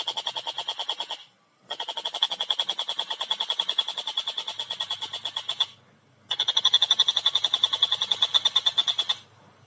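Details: Collared kingfisher (tengkek buto) calling in long bursts of harsh, buzzy, rapidly repeated notes, each burst several seconds long and separated by short silences, with a faint low hum underneath.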